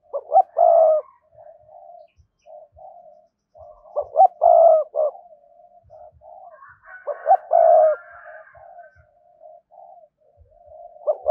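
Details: Spotted dove cooing to lure wild doves: three loud phrases, each two short clipped notes then a longer, lower, throaty coo, with soft murmured cooing between them and no other sounds.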